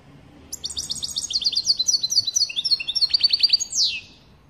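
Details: "Pat pat" calling of a European goldfinch used to stir up another goldfinch: a long, rapid run of high, tinkling twitters and chirps for about three seconds, ending in a loud descending slur, then quiet.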